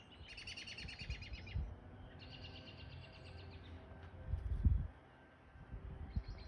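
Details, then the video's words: Whinny call of a male American robin atop Triangle Mountain on Vancouver Island, British Columbia, moments after following a female; two long trills of fast repeated high notes, then a brief start of a third, with low wind rumble throughout. "American Robin “Whinny” call"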